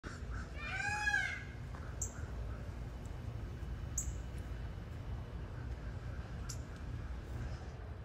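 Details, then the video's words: Young peacock practising its call: one loud, wavering, nasal wail near the start, followed by faint clicks and soft background hum. "BABY PEACOCK!!! PRACTICING"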